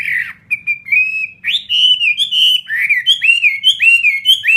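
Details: Loud song from a caged Vietnamese fighting hwamei ('họa mi chiến'): long, held whistled notes, then a steady rhythm of bright, swooping phrases that rise and fall.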